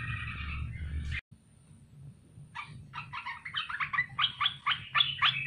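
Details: Bulbul caught from the wild and caged for three months, used as a lure; a short burst of notes, a sudden silence, then quieter chattering notes rising in loudness toward the end.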